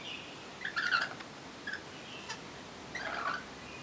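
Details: Lorikeets eating oranges on a back deck give harsh, raspy screeches in short bursts, with a few scratchy chatters between and a quiet background.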